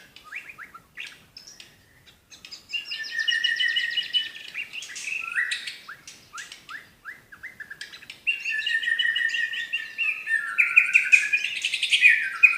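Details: White-rumped shama from Medan singing 'tembakan': scattered ticks, then long rapid trilled phrases in two bouts, ending in a loud run of bright whistled notes.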